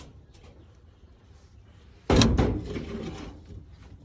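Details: A single wooden knock or door-like thud in a quiet room, with no animal voice. Faint background hum fills the rest.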